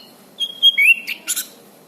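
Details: Orange-banded thrush song, a master recording for training birds: a few clear whistled slurred notes, one falling then rising, followed by short buzzy bursts, over a faint low hiss.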